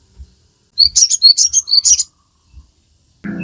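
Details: Crimson sunbird singing energetically, used as training audio for captive birds: a quick burst of about nine sharp, high, ringing notes in under a second and a half, then quiet and a brief thud.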